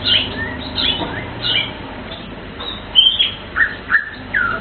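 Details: Asian fairy-bluebird singing melodious, clear whistled notes, some rising and some falling, scattered over a hissing background.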